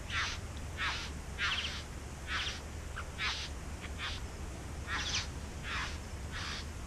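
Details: Bowerbirds in a back yard where they are nesting give rasping, noisy bursts in uneven succession, some longer and scratchier than others, over a faint low background drone.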